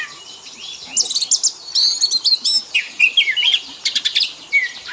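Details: Oriental magpie-robin song used as training fill-in (isian) for pet birds: quick rattling buzzes and bright high chirps, with scattered slurred whistles, in a lively, nearly continuous run.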